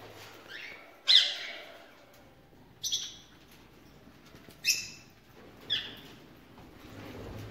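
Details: Four separate harsh, rasping screeches, spaced one to two seconds apart, come from a ringneck parakeet in a breeding aviary with mixed birds. Faint low hum in the background.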